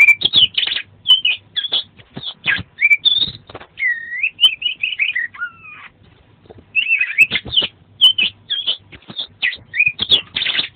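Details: Oriental magpie-robin delivering lively song packed with mimicked phrases, as a tutor recording: fast chattering bursts, slurred whistles and a short low whistled phrase, with scattered clicks.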